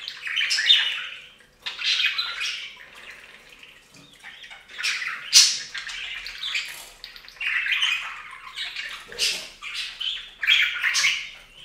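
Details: Pet budgies taking a bath on a fountain chatter in repeated raspy warbling bursts about every second or two, with sharp clicks and squeaks between the phrases and soft water sounds behind.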